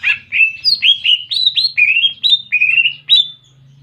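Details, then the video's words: Greater green leafbird singing a clear song with canary-style imitation, used as a tutor recording: a quick series of short upward-sweeping whistled chirps, each rising and flattening, delivered about four per second with no other sounds. "Masteran Cucak Ijo Isian Kenari Jernih"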